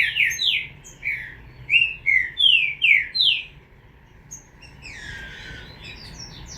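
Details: Green-winged saltator chick giving about eight clear slurred notes spaced roughly half a second apart, then a softer rough, buzzy phrase toward the end.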